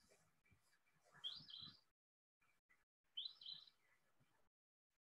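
Eastern Phoebe giving two raspy, buzzy 'fee-bee' phrases about two seconds apart, high-pitched and slightly burry, over faint background rustle.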